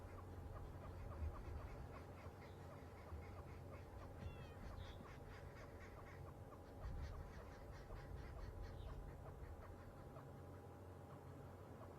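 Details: Arrow-marked babblers (Turdoides jardineii) chatter in a harsh, rapid chorus of repeated nasal notes that swell and fade over several seconds, above a steady low rumble, heard on an afternoon safari drive in July.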